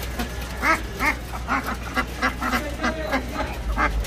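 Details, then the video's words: Several ducks at a shop quack in nasal, overlapping bursts, one every half second or so, over a steady low mechanical hum. "amazing sounds ducks"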